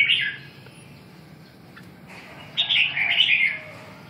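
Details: Red-whiskered bulbul: a brief whistled note at the start, then after a pause a longer, fluid run of bright chirping, warbled notes lasting about a second.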